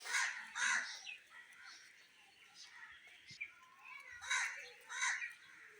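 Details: A pet talking Indian ringneck parrot gives a few short, raspy, high-pitched speech-like phrases, two near the start and two near the end, with a quiet gap between.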